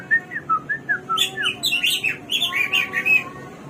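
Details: Singing hwamei (samyong, garuwa), a bird of 1001 voices: starts with evenly spaced, clear down-slurred whistles, then breaks into a dense, rich warble of rapid varied notes.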